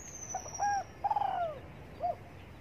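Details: A morning spotted dove coos while sunbathing: a short note, a steady mellow coo, then a pulsing coo that drops in pitch and ends with a brief soft note. A high thin whistle sounds at the start.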